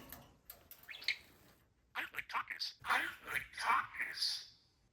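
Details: Pet parakeet, taught to say "I like tacos" (which sounds like "Takis") and slowly learning "this aggression", chatters a quick, buzzy, high-pitched run of speech-like syllables after a few thin chirps.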